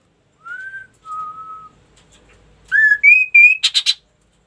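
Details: Ashy tailorbird song: two clear whistles, the first slightly rising and the second long and level, a pause, then three ringing harmonic notes stepping upward, ending in four rapid buzzy bursts.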